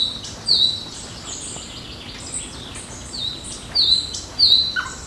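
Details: June 8 morning in park and forest, birds singing: a few sharp, high, falling whistled notes stand out, separated by pauses, over quiet background chirps.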